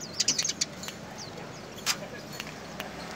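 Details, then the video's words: Eurasian tree sparrow chirping busily: a quick burst of short, high, sharp chirps in the first half-second, a few scattered single notes after, then one louder chirp near two seconds, over faint steady background hiss. "burung greja gacor"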